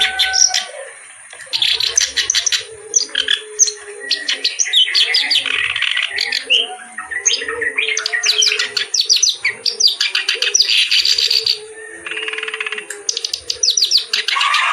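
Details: Kerak basi reed warbler singing energetically in a varied style, with long runs of rapid, grating chatter broken by short pauses and higher whistled notes. Low soft whistles and a faint constant high tone run beneath.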